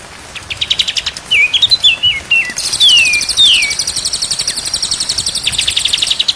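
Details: White-rumped shama in a day-and-night training recording for prompting birds to sing. Choppy stepped whistles lead into a long falling slur, then a dense, rhythmic, shrill buzzing that pulses steadily.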